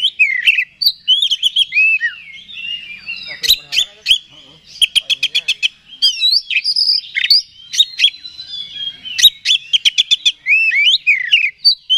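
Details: Oriental magpie-robin (kacer) singing continuously as a lure to excite another bird: rich whistled phrases, rapid clicking rattles and buzzy chips, varied and energetic throughout.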